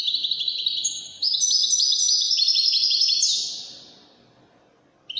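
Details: European goldfinch in Moroccan wedani song gives fast twittering, then a bright sequence of quick repeated chirps ending in a falling buzzy trill, followed by near silence.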